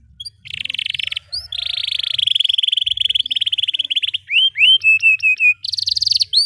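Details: Canary singing a long continuous rolling trill, used to teach young canaries and revive silent ones: buzzy even roll lasting several seconds, followed by quick rising whistles and a short level note series.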